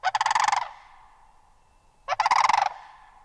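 A sandhill crane gives two loud, rolling, rattling calls about two seconds apart, each a half-second burst of rapid wooden trilling.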